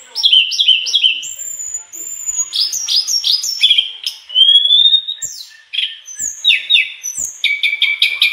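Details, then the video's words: Mangrove blue flycatcher pouring out a long, varied song of quick repeated chirps, rising whistled slurs, high thin notes and stuttering trills, phrases changing every second or two, ending in a rapid burst of repeated notes. "Tledekan bakau gacor bongkar isian"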